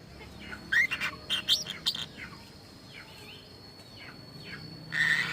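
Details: Lovebird giving strange calls, said to imitate human speech: a cluster of quick rising and falling chirps and clicks, a pause with faint swept notes, then a harsh buzzy burst at the end, over a steady high hum.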